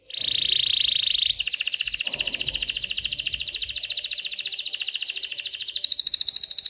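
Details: Excited canary singing to stimulate females to mate and build a nest: a high steady whistled tone opens, then a long fast rattling trill of rapid repeated notes, roughly three to four per second, holding bright and buzzy to the end.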